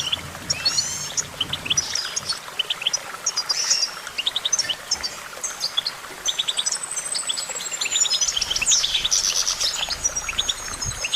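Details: Goldfinch song of dense high twitters and chirps, later joined by a long thin whistled note and a sharp downslurred squeak.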